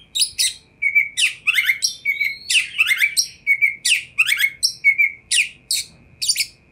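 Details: Oriental magpie-robin song used to prompt other magpie-robins to respond: a steady run of loud, evenly spaced phrases mixing sweeping whistles, harsh chirps and short trills, about two phrases each second.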